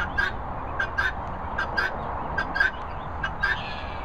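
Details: Helmeted guineafowl keets in Worcestershire countryside give short, harsh chirping notes in quick, uneven bursts.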